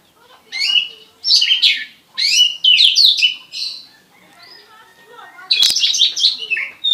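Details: Oriental magpie-robin, salto style, with prinia-like song: separated bursts of harsh, high chirping, a quieter stretch of soft notes, a sharp click, then another chirping flurry.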